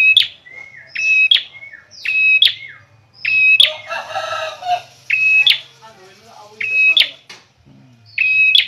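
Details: Bar-winged prinia song, locally peranjak: a steady run of whistled notes, each ending in a sharp, buzzy chirp, briefly overlapped by a harsher, noisy rasping call in the middle.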